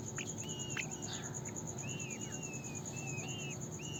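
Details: Several Indian peafowl chicks peep in short curved whistles and longer flat, slightly wavering notes, a busy irregular chatter, set against a continuous shrill insect-like drone and faint low-frequency noise.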